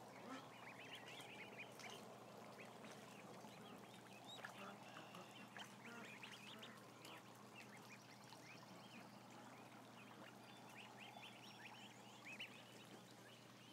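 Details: Around a thousand ducklings housed together filling the air with continuous high, wavering peeps and scattered lower calls, over rustling and a faint constant hum.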